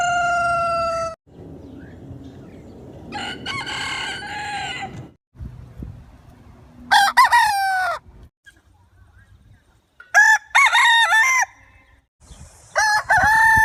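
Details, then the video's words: Several roosters crow in turn, each a loud, harsh, drawn-out cock-a-doodle-doo that rises and then falls, with brief gaps and low background noise between them. "Rooster crowing Compilation, Rooster sound effect"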